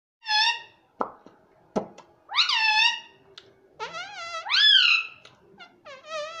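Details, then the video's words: Pet talking ringneck parrot indoors in a small room, said to say "mummy"; a run of loud, harmonic-rich calls, some short and clipped, others sweeping upward then falling, with sharp clicks between them. "Talking parrot Mummy Mummy"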